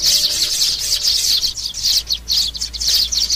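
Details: Nestling sparrows calling, sound meant to draw birds to glue traps: shrill, busy twittering of high chirps in uneven runs, loud and continuous, over a steady low hum.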